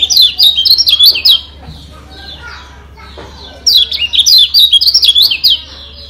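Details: Kecial kuning Lombok, a white-eye, sings a provoking masteran meant to agitate other birds. Quick high chirps come in a short phrase, then soft twitters, then a longer energetic burst over a low steady hum.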